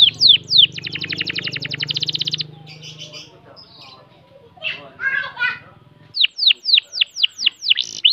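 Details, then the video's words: A canary with long-breath song gives high, sharply downslurred notes and a long, fast, steady trill, then chattering phrases, over a low background hum. "Burung kenari dengan nafas panjang - kicauan burung"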